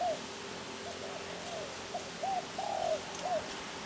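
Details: Spotted dove cooing: a series of short, hoarse, arched coos in a low-mid register, one drawn-out note near the end, over a steady hiss of background noise.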